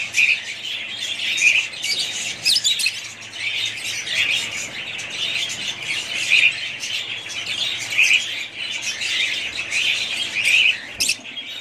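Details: A family group of pet budgerigars keeps up continuous shrill twittering, punctuated by brief sharp whistled notes and louder squeaky bursts at intervals.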